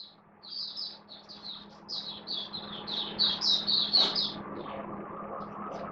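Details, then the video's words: Oriental white-eye kept as a hobby bird, singing openly on 11 September 2022: a fast chain of high, twittering, slurred notes over a steady low hum and background rumble, growing louder toward the middle. "Mata Puteh Kitaro Buka Sing"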